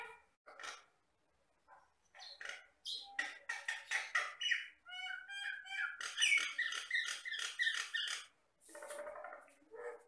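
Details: Jalak batam myna in vigorous song: scratchy chatter, a series of pure, ringing whistled tones, then fast, dense harsh phrases with a gravelly ending.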